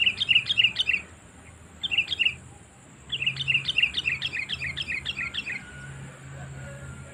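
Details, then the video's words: Sooty-headed bulbul lure call, used in bird trapping to attract wild birds: three bursts of quick, bright, bubbly chirps in rapid runs, the last burst longest and trailing off, over a steady faint high hiss. "Suara Panggilan Kutilang Memanggil Burung Liar"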